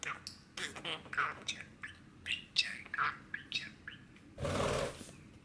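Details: Six-year-old male budgerigar in high spirits on a rainy spring day, pouring out fast, scratchy, jumbled chirps and warbling notes, with a brief loud rustling burst near the end and a low hum throughout.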